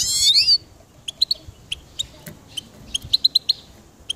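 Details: A short scratchy sweep opens, then a goldfinch gives scattered crisp high chips, bunching into a quick run of five near the end, over quiet background.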